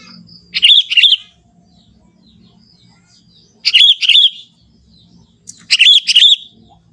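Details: Young Sooty-headed bulbul from the forest, a lively natural song with no learned mimicry: three short bubbly phrases of quick warbled notes, each about half a second long, repeating roughly every two and a half seconds over a faint low hum.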